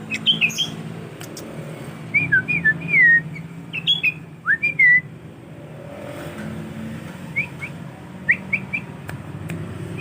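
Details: Tame juvenile male sooty-headed bulbul in a collection, practising its song: scattered short whistled slurs and chirps, some falling, with quieter stretches between bursts and a steady low background hum.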